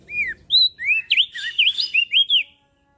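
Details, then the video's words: Full phrase from a singing mountain leaf warbler, used to prompt small caged birds to sing: about nine clear whistled notes in quick succession, some looping sharply up and down, ending abruptly into quiet. "Opior Jambul Gacor Siang Malam"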